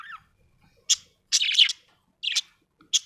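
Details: Happy budgie chirping in short separate bursts: a brief rising whistle, then bright raspy chirps about every half second, one longer chattering phrase in the middle, with silence between them.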